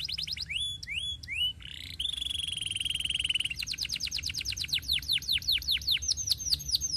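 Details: Canary song on a training master: a few short rising chips, a long buzzy rattling roll, then a steady trill of sweeping notes that slows into separate loud strokes.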